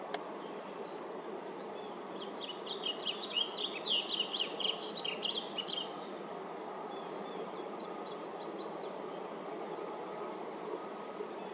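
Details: Blue grosbeak singing at LaFarge Sandpits on July 8th, 2024: after a faint start, a rich, jumbled warble of quick high notes runs for about four seconds, then fades to scattered soft notes over a steady broad hiss.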